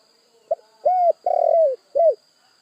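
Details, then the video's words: Tekukur, the spotted dove, giving its phrase: a brief lead-in note, one arched coo, a longer trilled coo falling in pitch, then a last rounded coo, low and soft against a quiet steady hum. "Sekali Klik Burung Tekukur Anda Pasti Langsung Nyaut"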